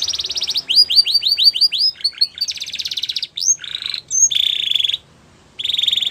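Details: A Belgian canary sings a rolling trill and a quick series of falling whistled notes, a sweeping call, then two long buzzy trills at a steady pitch divided by a short pause.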